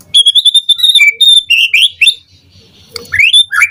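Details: Morning lure song of a white-rumped shama: a run of sustained high whistles and sliding notes, then a short quiet gap before rising whistled phrases resume.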